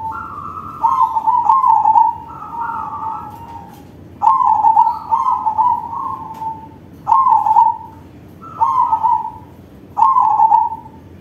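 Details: Crossing zebra dove with a large voice performing its song to lure other doves: repeated trilled, purring coo phrases, some starting on a higher note and dropping, about six bursts spaced one to two seconds apart.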